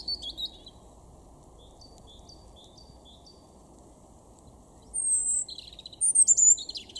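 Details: European robin singing in a garden in Weener, East Frisia, far northwest Germany, April 2021: short, very high, thin notes and soft twitters, a pause, then a sharp drawn-out high whistle and fast, sparkling, tumbling phrases.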